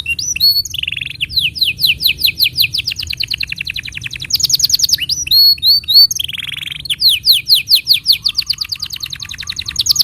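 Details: Tutor recording of a canary for teaching young birds and coaxing silent ones into song: fast tours of repeated sweeping whistled syllables, a dense high rattle, then more rolling trills with brief twittering breaks.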